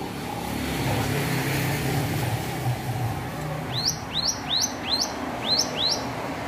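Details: Hill prinia learning to sing, giving a quick run of six sharp, down-curving chirps in the second half, each note dropping then flicking up, over a steady low rumble of passing traffic.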